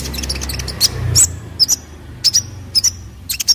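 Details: Olive-backed sunbird song for tutoring other birds: paired high chips with short whistled tails, repeated about once every half second over low background rumble.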